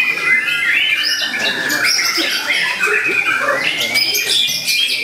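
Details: Young White-rumped shama, eight to nine months old, a songbird kept for singing contests, delivering a continuous run of varied whistled and chattering phrases with rapid rising and falling notes, loud and dense throughout with no pauses.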